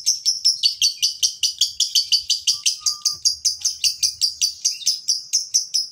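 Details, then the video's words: Lure recording of a male fighter lovebird meant to prompt other lovebirds into ngekek song: a long, even run of rapid scratchy chirps, around four to five per second, with a brief faint whistle midway. "pancingan lovebird jantan fighter"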